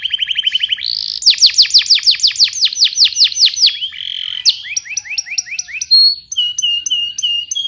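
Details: Singing canary, recorded for teaching young canaries to sing: a quick even trill opens, followed by rhythmic series of sweeping downslurred notes, brief buzzy phrases and clipped repeated chirps, all high-pitched and clear.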